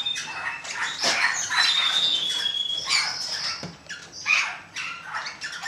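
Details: Golden-mantled rosella, recorded in 2013, giving harsh, chattering calls broken by a drawn-out, level whistled note, amid a dense background of other bird chatter.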